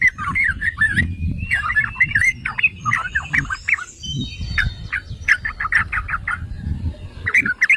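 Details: Yellow-vented bulbul used as a provoking lure: chattering bubbly phrases broken by bursts of sharp clicking notes, over recurring low rumble.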